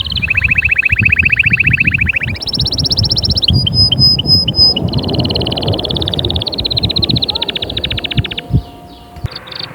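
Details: Canary singing to get young birds singing and prepare hens: steady rolling trills that jump between pitch levels, with a few sharp clipped notes, over constant loud low rumbling noise.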